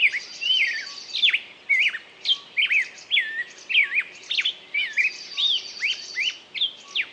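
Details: Bird song of fast twisting whistles and chirps, some notes sweeping sharply down, mixed with a high buzzy trill in the background, delivered in a lively unbroken stream.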